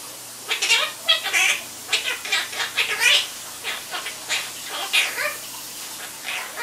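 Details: Chatterbox pet Quaker parrot in a steady stream of rapid, buzzy, harmonic chirps and squawks. The syllables follow one another almost without pause, over a soft low background hum.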